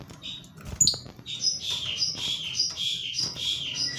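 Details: Lovebird without a mate, singing a run of high, scratchy chirps repeated roughly every half second, with sharp clicks and a low background hum.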